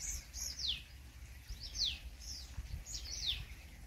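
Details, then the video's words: Purple sunbird calling in Ranthambore National Park, Rajasthan, India: high, thin notes that slide steeply down, often given in pairs, repeated several times against faint background noise. "Purple Sunbird Sound"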